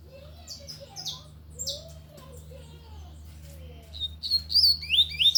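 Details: Lined seedeater singing loudly in the tui-tui song style: faint scattered notes at first, then a burst of loud, high, slurred whistles rising and falling in the last second and a half, over a steady low hum.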